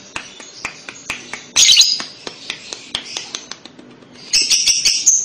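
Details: Kekek chatter of a lovebird, used to coax young birds into sound: scattered thin chirps, a loud squeaky burst early on, and a longer shrill squealing run at the close.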